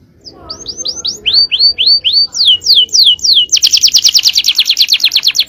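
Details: Male canary singing champion-style cengkok: series of curved whistled notes building to a fast, loud, buzzy trill.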